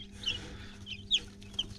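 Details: Newly hatched chicks still hatching from an incubator, some kept under a red heat lamp, on a farm on a dry Saturday after a week of rain; one chick gives three short, high, thin peeps, irregularly spaced over two seconds, over a steady low machine hum.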